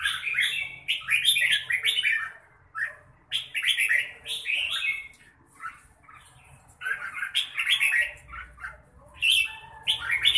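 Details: Chào mào, or red-whiskered bulbul, delivering 'mãng nhãn' style song: bright chattering phrases of fluty, bending notes in clusters of several, repeated after brief gaps across the recording, with a soft low hum underneath.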